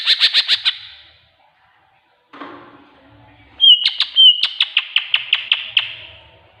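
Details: Greater green leafbird master song with tengkek buto filler for luring birds to sing: quick raspy notes at first, a lower rough noise in the middle, then two flat whistles leading into a steady string of crisp repeated chirps.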